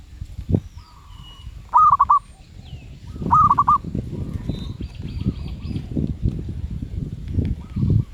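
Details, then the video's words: Zebra dove with a medium voice ('suara sedang'): two loud stuttering coo phrases close together, with fainter distant cooing from other doves before and after, over continuous low rumbling noise. "Merbuk suara sedang"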